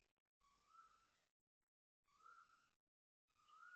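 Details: Asian koel calling loudly at 6.53am on 3 January 2026 near a housing block in Toa Payoh, Singapore: three rising whistled notes, each about a second long, repeated roughly every one and a half seconds with short silent gaps.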